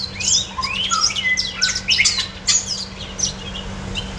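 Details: Captive red siskin delivering a busy warbling song: fast chirps, short rising and falling whistles and twittered phrases packed into four seconds, over a low electrical hum.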